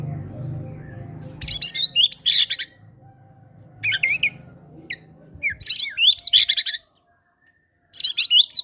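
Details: Caged fighter-type White-rumped shama singing actively, its song loaded with imitated cinereous tit phrases, used to prompt quiet birds to sing. Loud bursts of high whistled, slurred and chattering notes come in irregular groups, with a low hum underneath at first.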